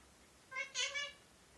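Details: Pet male Indian ringneck parrot, a talking bird kept indoors, producing a short harmonic speech-like phrase in two quick parts, with a person speaking nearby.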